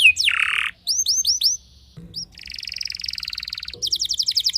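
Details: Canary song said to unsettle rival canaries: an upward sweep into a harsh buzzy note, a few rising chirps, then a long fast rattling trill and a run of rapid rising notes.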